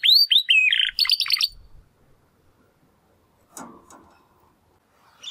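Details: Young male Timbrado canary, one of two brothers from the second 2020 breeding, making first song attempts after first molt: three or four quick upslurred whistles, then a fast rattling trill; pause, brief rustling thump. Finding: Belgian canary.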